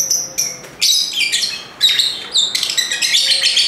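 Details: Lovebirds in a lively group, giving loud, shrill, high chirps and buzzy squeaks in dense overlapping bursts with brief pauses, the chattering nearly continuous throughout.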